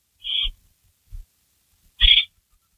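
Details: Barn owl at a nest during a rabbit delivery, 3:53 AM on May 16 2012; one owl leaves just before, another takes the rabbit and shreds it. Two short, harsh, high calls about two seconds apart, with soft low thumps between.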